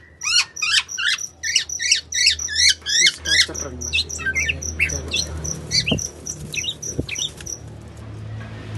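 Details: A local black-naped oriole, described as in breeding mood, sings a fast run of bright, squeaky repeated notes, about three a second, then sliding whistled notes; a low indoor hum underneath.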